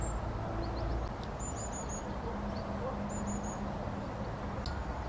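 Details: Long-tailed tit giving two quick high, thin trilled bursts of three to four tiny notes each, plus a few soft short chips, against a constant low rumble.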